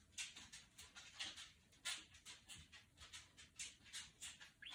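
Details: Pet female budgerigar talking while imitating R2-D2 sounds from Star Wars: rapid breathy, scratchy bursts repeated roughly twice a second over nearly five seconds, uneven in loudness, with a rising squeak at the end.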